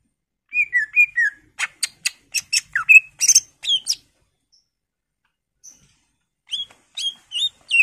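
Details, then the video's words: Greater green leafbird singing steadily in full-isian style, opening with falling whistles, then crisp clicking notes and bright slurs, a near-silent gap, and a closing string of upward whistles. "PANCINGAN CUCAK IJO GACOR FULL ISIAN/ CUCAK IJO Gacor"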